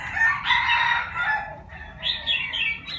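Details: Young Chinese francolin, six months old, learning to crow: a drawn-out raspy phrase, a short break, then a second harsh, stepped, slightly descending phrase.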